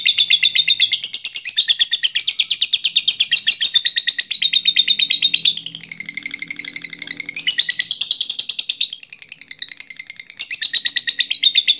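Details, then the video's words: Lovebird ngekek, a long chatter used as a lure to get other lovebirds chattering: a continuous, fast, shrill stream of buzzy chirps, about three per second, shifting in pitch, with a faint low hum beneath. "suara lovebird ngekek panjang"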